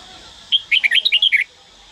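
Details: Trained Red-whiskered bulbul from Daklak delivering a lively phrase of around nine chirpy whistles, rising and falling in quick succession for almost a second, clear over a quiet backdrop.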